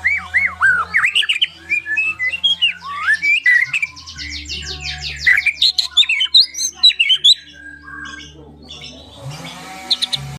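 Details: Caged white-rumped shama singing: varied whistled phrases with sweeping, looping notes and sharp chattering bursts in quick succession, a steady low hum underneath and a rustling noise near the end.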